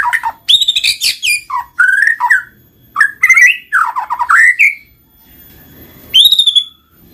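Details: White-rumped shama song meant to stir quiet birds into singing: varied, loud, rich whistled phrases, some rising and some dropping, broken by short pauses and a brief quiet gap before a final high rising note.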